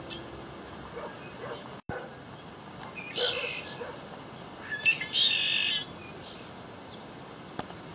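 Thin, high twittering notes come in two short bursts, the second a brief buzzy trill, over a steady hiss of background noise.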